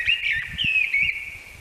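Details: A mistle thrush sings a short, fluty warbled phrase at mid-high pitch, rising then falling, in a question-and-answer phrasing with a melancholy feel that carries far, over a slight hiss of background noise.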